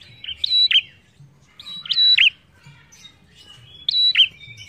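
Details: Prinia (prenjak) singing persistently as a lure for other birds: three loud bursts roughly 1.5 seconds apart, each a level high whistle snapping down into a sharp note, over a faint low background hum.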